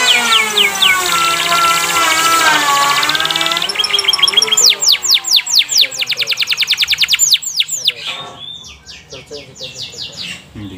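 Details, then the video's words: Canary song played to stimulate other canaries to sing actively, with long rolls mentioned. A dense high rolling trill carries on for about four seconds. It is followed by a fast run of sharp downward-sweeping notes, roughly six per second, that fades into scattered chatter. "pancingan kenari biar rajin bunyi dan gacor"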